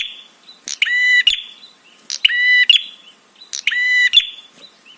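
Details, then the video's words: Prinia, described as red-headed, in a training call meant to provoke other birds to answer and arouse them: three harsh, buzzy, rattling bursts about half a second long, roughly every one and a half seconds, each led by a thin whistled note. "SUARA TRAPI PRENJAK SEKETIKA BIKIN EMOSI DAN BIRAHI"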